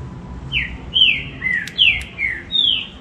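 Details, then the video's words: Captive Green-winged saltator (trinca-ferro) singing to warm up and excite other captive birds: clear whistled notes, each sliding downward, given in a loose series about once every half second, over low background hum. "BARUC MUITA ORDEM CANTA MUITO TRINCA-FERRO"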